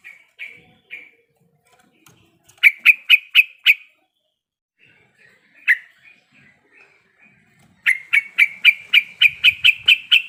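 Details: Calling of a female sooty-headed bulbul in breeding condition, directed at the male. A few soft notes lead into a burst of five sharp calls, quiet scattered notes, then a long even series of about ten bright calls.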